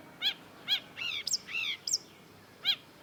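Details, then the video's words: Long-tailed shrike song fragment: a few clear down-slurred harmonic notes, with longer nasal slurs and two thin high squeaks. "cendet gacor MASTERAN CENDET DURASI PANJANG || Long-tailed Shrike"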